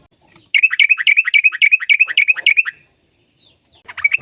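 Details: Sooty-headed bulbul in lively song used to prompt silent birds to sing: a fast run of about ten repeated bubbly notes lasting two seconds, then near silence and a short fresh burst at the end.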